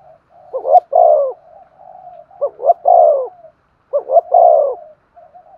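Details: Spotted dove cooing to stimulate another dove into singing: repeated phrases of two short clipped notes and a long, full, slightly falling coo, roughly every 1.8 seconds, with a soft murmuring coo between phrases.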